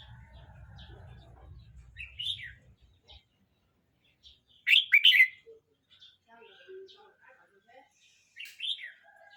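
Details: Red-whiskered bulbul, a young bird aged 12 months 29 days, sings three short bright warbled phrases spaced a few seconds apart, the middle one loudest. Soft chatter fills the gaps, and a low hum runs through the first seconds.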